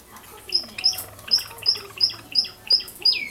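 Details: Java sparrow chicks aged 24 and 26 days, caged pets filmed close up at feeding time. Eight piercing high notes sound evenly, about three each second, and the last ends in a long falling slur.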